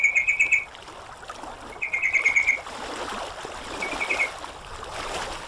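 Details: Sooty-headed bulbul on a song-training recording: two clear rapid pulsed chattering phrases, then a fainter shorter one, while running water and splashing fill the background.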